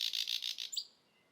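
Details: A thrush nightingale in Estonia sings a fast burst of about seven dry, rattling notes, then one high thin whistle and a short sharp note.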